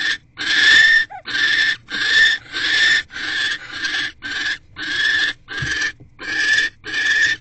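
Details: Pair of wild barn owls in a nest box, the male arriving with food for the female at 6:04 pm in January; eleven grating, breathy hisses repeated quickly, slightly uneven in length, with a faint knock.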